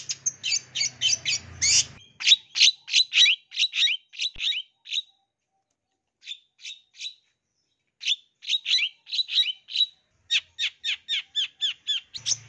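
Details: Long-tailed shrike lure recording of a song packed with mimicked phrases, used to draw quick responses from young wild-caught forest birds kept in groups: bursts of sharp, buzzy high notes repeated rapidly, broken by short pauses.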